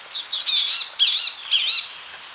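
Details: Palestine sunbird producing three quick bursts of high, squeaky, slightly harsh chirps, each lasting about a quarter second.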